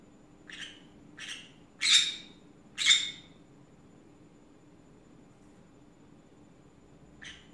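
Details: A small pet green-cheeked conure chatters in the afternoon with four harsh squawks in quick, uneven succession, the middle two loudest, then silence and one last softer call.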